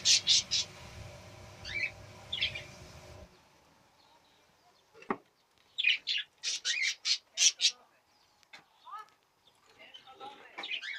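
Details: Budgerigars during the 2017 breeding season: sharp, harmonic chirps in quick bursts, some rising and falling, with a noisy low rumble for the first three seconds and pauses between clusters of calls.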